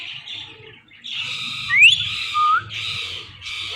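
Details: Morning calls of a pet male and female Indian ringneck parakeet pair: long harsh rasping screeches in blocks separated by brief gaps, with one sharp upward whistle and a short whistled note between them.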